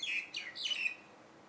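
Common myna giving three quick, harsh, downslurred notes in under a second, high-pitched and slightly raspy, with no other sounds behind it.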